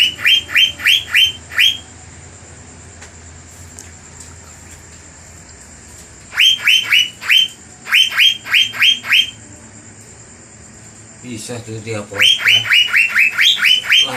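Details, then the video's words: Asian fairy-bluebird lure song meant to heat up and anger rival birds: bursts of four to seven sharp, ringing whistles, each quickly rising and dropping, separated by quiet gaps of a few seconds, with a brief rasping noise near the end. "PANCINGAN CUCAK BIRU GACOR || GANAS BIKIN PANAS DAN NAIKIN EMOSI BURUNG LAWAN LAINNYA"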